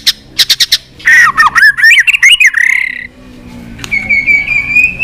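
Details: White-rumped shama in fighting song: a quick burst of four sharp chips, then a loud, jerky run of looping whistles and a long, faint, steady whistled note.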